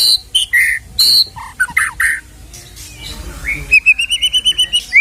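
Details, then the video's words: White-rumped shama song used to lift a disheartened shama's fighting spirit and provoke singing: loud varied whistled phrases and chirps, then a fast series of about ten repeated sharp notes near the end. "MURAI BATU KENA MENTAL \FIGHTER KEMBALI SAAT DENGAR KICAU ISIAN INI"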